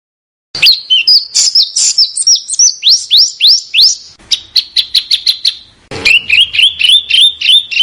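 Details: Master recording of a small bird for training caged contest birds: rapid high chirps, then slurred rising whistles, a brief burst of fast clipped notes, and a final string of quick two-part whistles. No background noise.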